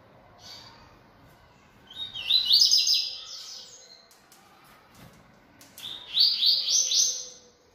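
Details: Captive coleiro-baiano seedeater, a bold bird singing a lot, delivers two separate high song phrases. Each begins with a short whistle and breaks into rapid, buzzy, stuttering notes. A quieter pause with faint background noise separates them.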